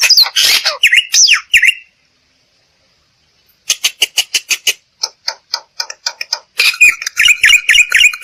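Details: Black-winged myna voice used to coax other birds into song: harsh squawky slurred notes, a short silence, then a rapid string of clipped chattering notes ending in buzzy repeated whistles.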